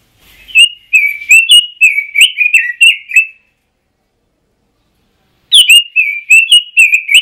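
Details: Pekin robin singing in the ngoceh style: two bursts of rapid, warbled, whistled phrases with quick up-and-down notes, the first lasting about three seconds, then a pause of two seconds before a second lively burst; no other sounds.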